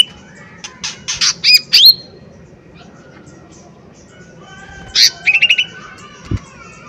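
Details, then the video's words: Lesser green leafbird singing: quick clusters of sharp chips and a rising whistled slur, a long pause, then another burst of chips and short whistles; faint thud near the end. "Pancingan Cucak Ijo Mini Gacor Full POWER Tembakan keras Mancing Emosi"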